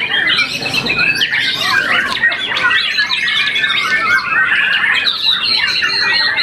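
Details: A contest-winning young white-rumped shama, moulted once, delivers an unbroken, rich medley of rising and falling whistles mixed with harsh chattering phrases and quick, fluttering trills.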